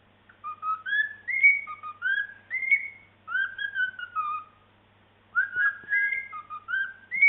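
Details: Pet cockatiel chattering again, whistling a string of clear, tuneful phrases that slide up and down between short pauses.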